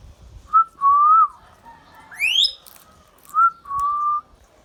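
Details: Pet Indian ringneck parrot giving clear, level whistled notes, a short one then a longer wavering one, a quick rising sweep in between, and the pair repeated, over a quiet background.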